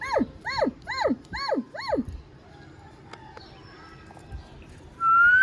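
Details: Pet ringneck parrot kept indoors while being played with; five quick arched, harmonic notes in a row, evenly spaced about every half second, then a quiet gap and a rising, sustained tonal note at the end.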